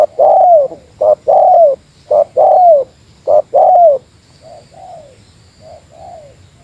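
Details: Against a rival, a spotted dove calls in the meratus manner. Three loud phrases of a short note and a long falling coo follow quickly, then four quieter descending coos trail off.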